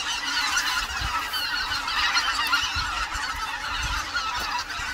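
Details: Flock of greater white-fronted geese spending the winter on the Cheorwon plain in the centre of the Korean peninsula; constant overlapping squeaky honks and chatter with occasional low thumps.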